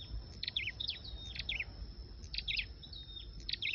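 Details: Lure song of a flowerpecker: sharp, high, ticking bursts mixed with short thin whistles and twittery notes, in quick repeated phrases, with a constant high-pitched whine and low background hum.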